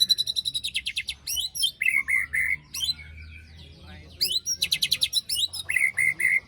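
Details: White-rumped shama 'besetan' lure song for birds not singing after moult: fast trains of harsh, grating high pulses alternate with short clear whistled notes, then a quieter pause.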